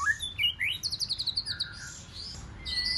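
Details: Short burst of white-rumped shama song from a wild-caught bird singing in competition: upslurred whistles lead into a rapid high trill of repeated notes, followed by a thin, steady whistle.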